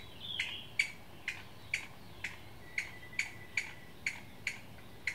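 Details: One Chinese bamboo partridge at Qingjing, Nantou, Taiwan, sounding alarm on 6 July 2017: around eleven abrupt, sharp notes repeated every half second or so, evenly paced, with little else audible.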